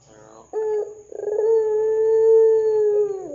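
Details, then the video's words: Ringneck dove in full voice with its 'dor' call, used as a lure to set other doves calling: a short bubbling note, then a rolling onset sliding into a long, steady, hollow coo held for about two seconds. "Pancingan Suara Burung Puter Gacor Dor"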